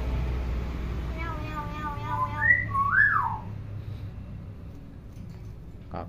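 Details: Clever pet hill myna, tame and able to imitate any sound: a run of nasal, voice-like harmonic syllables repeated quickly, then a bright high whistle and an arching slurred whistle, with low room noise.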